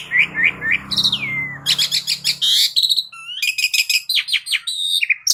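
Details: Asian pied starling (jalak uren) in a recording used to stimulate caged birds to sing. It opens with three rising whistles and a long falling slur, then continues as dense, rhythmic rasping chatter mixed with rising whistles over a low background rumble.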